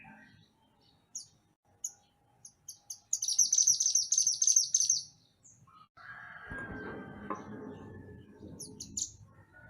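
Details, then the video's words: Energetic mantenan gunung song recorded as training material for songbirds: scattered high chips build into a sustained, shrill rapid trill lasting about two seconds, followed by a harsher lower rustling noise. "Mantenan Gunung Gacor Burung Masteran Untuk Burung Kicau"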